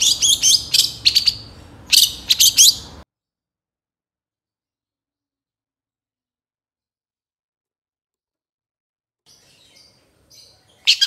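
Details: Long-tailed shrike (cendet) in trotol style from a training recording for other birds: about three seconds of rapid, harsh, high chattering bursts, then a long silence and a few faint notes ending in one sharp burst.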